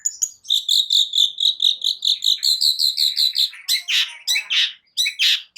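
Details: Long-tailed shrike (cendet) song meant to provoke idle birds into singing: a steady stream of rapid, evenly spaced chipping notes for about three seconds, then several rough, harsh rasps.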